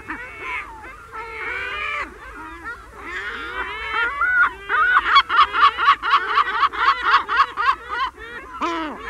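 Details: Close Herring gull long calls and mew calls in a colony. Sliding wails lead into a fast, regular series of loud, harsh yelping notes, about four per second, with other gulls calling behind.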